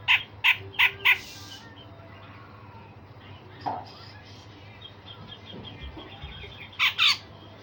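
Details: Grey-cheeked bulbul training song with 'tembakan tajam' shots: four harsh repeated notes, a long quiet stretch with faint background sounds, then a closing double note.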